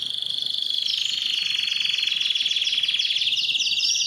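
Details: Canary singing to stimulate females for mating: a fast, even trill held for about four seconds, its rapid pulses buzzing steadily high and shifting slightly upward near the end.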